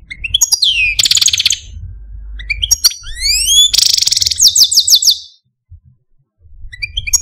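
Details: Caged male Algerian Parva goldfinch sings a falling whistle, harsh buzzy bursts, rising slurred whistles and a fast trill of sweeping notes, then quiet before soft closing twitters.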